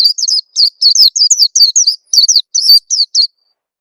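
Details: High, thin chirps of an Oriental white-eye, played as a lure to get birds singing, come in a fast, uneven series of sharp downslurred notes for about three seconds before stopping.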